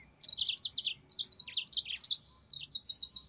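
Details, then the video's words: Yellow-fronted canary (mozambik) in energetic song: rapid strings of high, sharp, repeated chirps in three quick bursts. "Mozambik Gacor NgeroL SUARA TOP"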